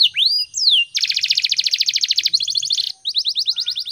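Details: Canary in full morning song, used as a training recording for other birds; opening whistled sweeps give way to a long dense buzzy trill, a short higher trill, then a series of quick rising notes.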